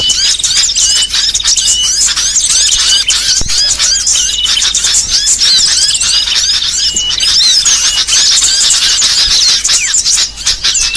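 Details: Training song of small songbirds in a varied mix: loud, shrill chattering and clear whistled slurs, busy bursts of quick notes and brief trills running without a break.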